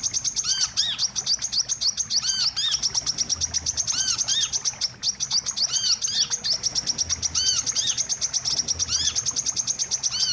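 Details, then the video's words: Wiceh lure recording used to attract birds for trapping. Rapid, busy high-pitched chirping runs without pause. Short arched whistles recur roughly once a second, and a continuous fine ticking rides on top. "suara pikat burung wiceh"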